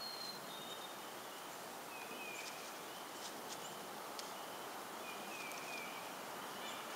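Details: Black-capped Chickadee in Durham, New Hampshire, on 19 April 2015, giving its 'fee-bee' call: soft, clear whistled notes, a higher note sliding to a lower one, repeated a few times over steady hiss and faint clicks.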